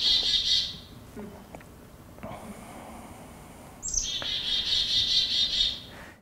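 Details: Black-capped Chickadee in winter giving its chick-a-dee alarm call, whose variations signal the type and threat level of a predator, as harsh, buzzy dee notes in quick runs, a high thin note before the second burst, with a few soft knocks between.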